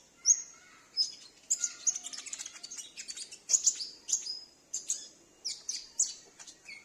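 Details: A captive sunbird recorded at home and used to lure wild sunbirds gives rapid, very high, thin chips and sharp trills in quick bursts, about one every half second, with no other sounds around.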